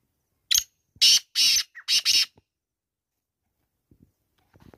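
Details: Black francolin (kala teetar) calling: a short harsh opening note, then four loud, grating, buzzy notes in a quick rhythmic phrase lasting under two seconds, followed by near silence with faint soft sounds.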